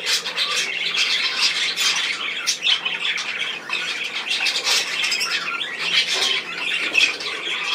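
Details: Lively budgerigar babble from 10 June 2024: many birds trilling, chirping and squawking over one another in a steady high-pitched din, with a few sharper calls near the end.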